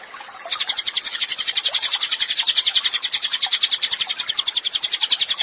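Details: A Cililin sings energetically for songbird training. Quiet at first, then a long, dense run of high repeated chirps, regular and rattling, gaining volume as it goes.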